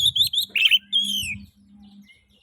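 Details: Oriental magpie-robin (kacer) song played to stimulate other magpie-robins: rapid bright chirps and a long slurred descending whistle over a steady low hum.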